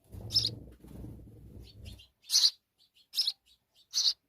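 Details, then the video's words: House sparrow mother and her babies: two seconds of low rustling and handling noise, then three loud, high chirps spaced about a second apart with faint softer cheeps between. "Little Sparrow Bird And Her Babies"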